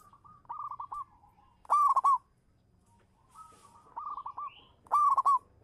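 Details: A local zebra dove of champion standard, recorded as a lure, repeats its cooing phrase: quick stuttered notes followed by a loud clipped burst of coos, heard twice about three seconds apart.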